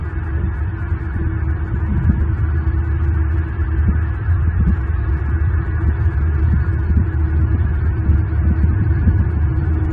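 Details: Deep, throbbing low hum, like wind buffeting a microphone, continues throughout the nest recording from Southwest Florida, and no eagle calls stand out.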